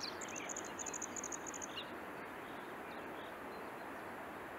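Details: Red-spotted bluethroat, a rare bird that breeds here and there in the Swiss mountains. A rapid run of high, clipped notes lasts under two seconds, then the bird falls silent over steady, hissing background noise.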